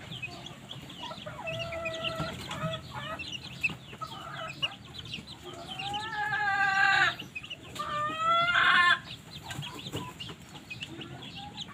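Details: Polish chickens warming in the morning sun cluck and squawk in ringing, harmonic bursts, with two louder drawn-out cries near the end over a busy yard murmur.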